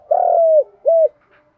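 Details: Spotted dove lure coo in 'giọng đồng' style for training newly caught birds: one long, level hooting coo followed by a short rounded one.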